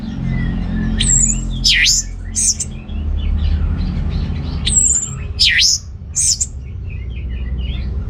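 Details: Orange-headed thrush song played to rouse males short of breeding drive: two matching bursts of sharp high whistles and steep down-up sweeps, separated by quieter chatter, over steady low background rumble.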